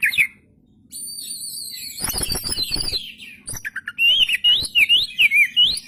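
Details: Oriental magpie-robin singing with the tail spread, a lure recording: varied whistled phrases and harsh buzzy notes, then a run of loud, wavering whistles near the end.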